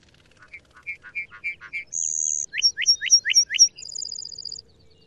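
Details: Lark bunting, the second bird recorded, singing loudly: a series of slurred whistled notes, a long high buzzy note, a run of rising sweeping notes, then a fast high trill.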